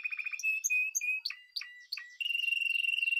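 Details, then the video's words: A Spanish timbrado canary gives quick pulsed notes, brief whistles and sharp downward flicks, then settles into a steady, fast rolling trill. "Timbrado تغريد جميل الكناري تيمرادو الإسباني"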